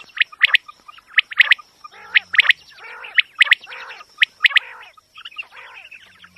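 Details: Quail calls used as a hunting lure: dense bursts of sharp, high chirped notes in quick pairs and triplets, roughly once a second, with lower rasping notes between and a steady faint high whine throughout.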